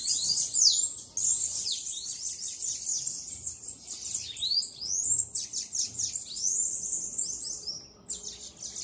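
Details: Bananaquit flying free sings long strings of fast, thin, high sweeping notes, buzzy and sibilant, breaking off briefly near the end before resuming.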